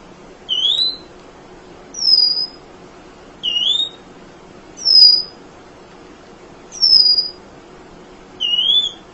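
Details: Munia, called emprit, recorded for training other songbirds: six clear high whistled notes, some rising and some falling, spaced about one and a half seconds apart over a quiet background.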